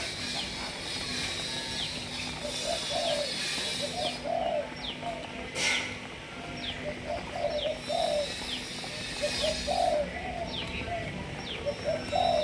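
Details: Malaysian spotted dove of several strains, kept for breeding, giving soft, low, rolling coo phrases that recur every couple of seconds, with faint high chirps from other birds and a constant background hum.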